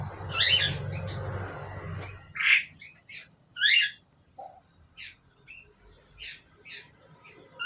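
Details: A pair of Asian pied starlings calling: harsh squawks and a loud rasping note early on, followed by sparse short chirps and clicks at irregular intervals, with low rumbling noise at the start.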